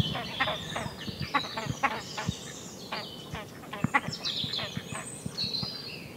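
Great crested grebe giving harsh, rasping, barking notes in quick uneven bursts, with thin high chirps from other birds above and a low background rumble.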